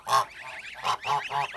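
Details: Domestic geese, the goose and gander taken off the nest and kept apart from newly arrived goslings, calling in the background: loud, nasal honking bursts, four or five calls in under two seconds, harsh and repeated with brief gaps.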